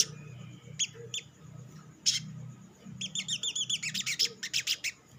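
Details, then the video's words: Olive-backed sunbird lure song for provoking other sunbirds into song: a few isolated high chips, then a fast, jerky series of bright, high notes in quick succession. "SUARA PANCINGAN BURUNG SOGOK ONTONG; Merangsang sogon ijoan cepat bunyi"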